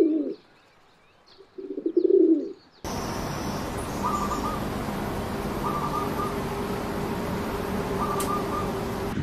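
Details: Pigeon in the morning in a populated area of Thailand: two low, soft coos, the second longer and throatier, then a steady broad hiss with faint music.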